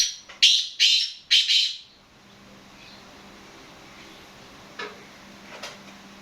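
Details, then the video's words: Kala teetar, the black francolin, giving its call: a faint lead-in note, then three rasping, buzzy notes about half a second apart, followed by near silence over a constant low electrical hum. "Kala Teetar Nawab Black Francolin Calling Masti Our Bolai"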